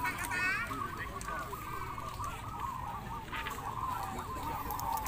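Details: Zebra doves at a singing contest in Mranggen, Demak, heard as a dense, continuous chorus of overlapping rolling coos from many birds, with a human voice briefly near the start and steady crowd background.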